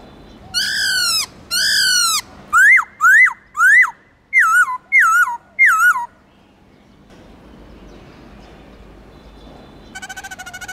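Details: Many-voiced song of a Black-throated laughingthrush. Two long rich descending notes lead into a quick run of sharp rising-falling whistles, then wavering whistled notes. After a quiet pause, a burst of rapid pulsed notes begins.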